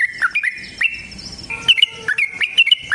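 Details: Yellow-vented bulbul in fighting-style song with a long rapid trill, used to provoke caged birds: short, bright slurred chirps in two quick bursts separated by a brief pause.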